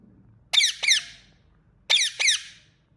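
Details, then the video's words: Ringneck parrot chirping: two paired bursts of harsh, squeaky notes, each pair quickly repeated about a second apart, loud and rich, with faint low rumble between calls. "Ringneck Parrot Chirping Sound"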